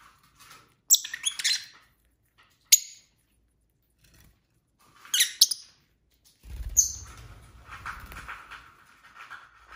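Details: Indoor pet lovebirds at dinnertime give scattered sharp, high chirps and short twitters, followed by a stretch of low rumbling noise with faint chattering underneath.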